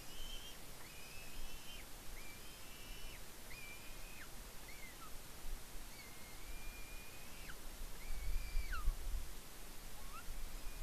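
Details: Excited squeeing from an eagle feeding on fish at its nest in Smola, Norway, with its mother close by; a run of about eight thin, level whistled squeals with dropping tails, fairly faint over steady hiss.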